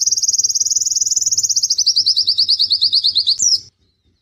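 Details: Indonesian pleci (white-eye), G12/G16 class, noted for long 'nembak' bursts and high volume: a loud rapid trill lasting over three seconds, drifting slightly lower, closing with a brief slurred note before silence.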